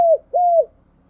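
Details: Spotted dove, a decoy bird used to lure wild doves, giving two short, low, mellow coos, the second longer and level before dropping away, then quiet.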